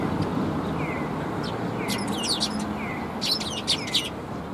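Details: Sparrows coming to a Tenmangu shrine to be fed, 12 December 2021; clusters of short, buzzy high chirps come in two bursts, mixed with repeated thin downward-sliding whistles over a steady background hum.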